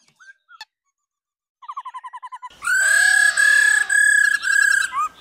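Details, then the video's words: Laughingthrush female uttering 'ro ro' calls to stimulate males: a few faint notes, then a rapid train of short bouncing notes, then loud sustained whistles rich in overtones. "Khứu mái ro ro.kích trống hót căng"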